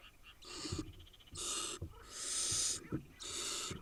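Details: Eight wild barn owl nestlings in Israel make screechy, breathy hisses. Four bursts follow in quick order, the third long and loud, with soft taps between them.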